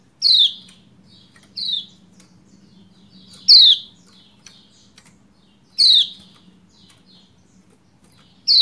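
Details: Lombok white-eye female giving calls meant to stir a quiet male into singing; a series of short, high, descending 'ciak' chirps at irregular intervals of one to two seconds over faint low hum.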